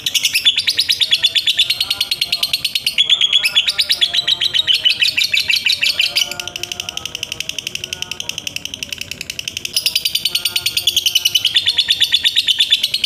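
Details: Lovebird giving a long trilling song, rapid high pulses repeated without pause in sustained runs with brief shifts in pitch, strong throughout.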